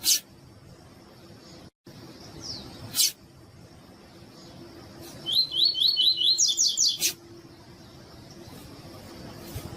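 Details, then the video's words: Tui tui style song of a captive double-collared seedeater, meant to stimulate singing in other caged birds: a single run of about eight bright sliding whistles with a buzzy finish, after loud clicks and room noise. "ESQUENTAR COLEIRO TUI TUI"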